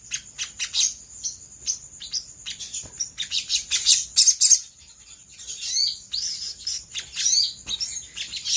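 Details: Sooty-headed bulbul (sogok ontong) lure song used to provoke other birds into replying. Bursts of sharp high chirps and short slurred notes are broken by brief gaps, with a steady thin high tone underneath.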